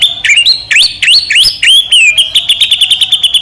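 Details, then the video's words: White-rumped shama song meant to trigger another shama to sing: rich rising and falling whistles, then a rapid even string of short high notes. "murai batu gacor AMPUH buat PANCINGAN murai batu agar bunyi"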